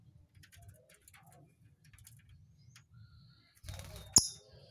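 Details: A champion lovebird in ngekek (long chattering song) gives faint, rapid high chirps and twitters, ending in a sudden loud, sharp squeak over a low background rumble.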